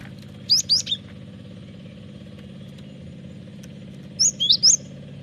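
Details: Lively song of a cinereous tit, used as a lure and training song: two separated phrases of about three high, quick whistled notes each, over a constant low engine-like drone.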